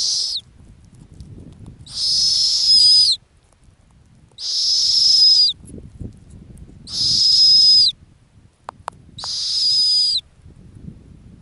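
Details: Female snowy owl at her ground nest in the Arctic: harsh, high, hissing screams about a second long, each sliding down at the end, repeated every two to three seconds over a low rumble of wind.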